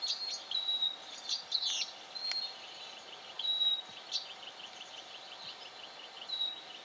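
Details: Black honeyeater recorded in Victoria, Australia, in October 2011, giving drawn-out thin high whistles held steady on one pitch, interspersed with quick twittering chirps and a series of short descending notes over constant hiss.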